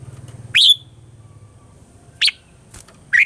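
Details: Caged-bird training recording of a red-whiskered bulbul's morning song in mature wild style: three separate sharp whistled upslurs spaced over about three seconds, a soft low pulsing hum underneath.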